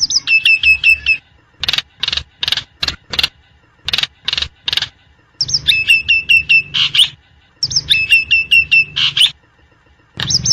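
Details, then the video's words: Free-living Nias hill myna alternating phrases of rapid hooked whistles with runs of harsh, evenly spaced raspy notes, about one per half second, over a quiet background. "JALAK NIAS di Alam Bebas || Suara Jalak Nias"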